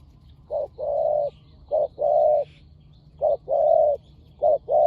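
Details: Spotted dove in a lively decoy-luring match between two fierce birds. A short coo is followed by a long, drawn-out hollow note, repeated three times with pauses, while faint high chirps sound in the background.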